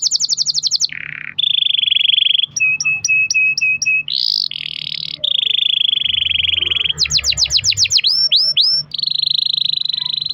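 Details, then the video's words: Caged canary singing a long rolling song to spur other canaries: rapid rattles, low buzzy notes, repeated sharp chips, sustained buzzy trills and a burst of falling sweeps, with faint low background noise. "kenari gacor ROL PANJANG buat pancingan kenari agar bunyi"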